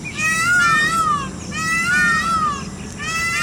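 A peacock gives loud, nasal wailing cries, each rising then falling, repeated roughly every one and a half seconds over a low background rumble.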